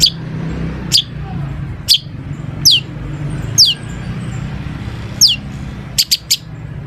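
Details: Long-tailed shrike with an imitation-packed song used as a lure to set other shrikes singing: thin high whistles sliding downward, repeated about once a second, ending in three quick sharp notes, over a low background drone.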